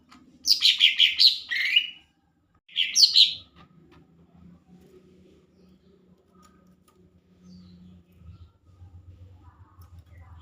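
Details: A chatty (gacor) lesser green leafbird gives two loud bursts of rapid, high, chattering chirps and whistles, then falls silent over a low indoor hum.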